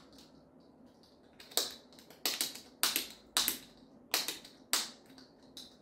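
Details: Sharp, irregular bursts of tapping and clicking, like typing on a keyboard, in a quiet indoor room with no animal call.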